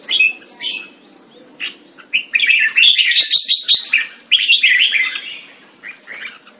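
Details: Singapore cage-kept red-whiskered bulbul, Thai keeping style, February 2018. A few short chirps open, then the bird bursts into a loud, rapid, jumbled warble, pauses briefly and continues. Clicks and a soft hum are also heard.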